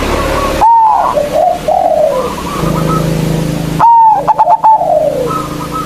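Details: Local zebra dove (perkutut lokal) in strong voice, used as a lure to provoke rivals into singing: a high clear opening note, then stuttering mellow coos sliding downward, repeated after a pause, with a low steady hum behind.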